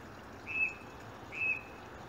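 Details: Wild birds, possibly blackbirds and a robin, singing at 7am on a January morning, unusually early in the year: two brief, thin, high whistled notes about a second apart over constant background hiss.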